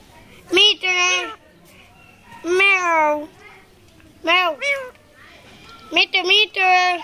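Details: Rose-ringed parakeet mimicking speech at the Mirpur 1 bird market: clear word-like squawked syllables in small clusters, bending up and down in pitch, with a murmur of voices behind.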